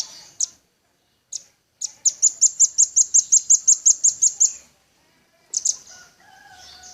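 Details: Velvet-fronted nuthatch singing energetically in a songbird training recording gives a few isolated high chips, then an even trill of about twelve sharp, piercing notes, ending with a short burst over a faint lower whistle.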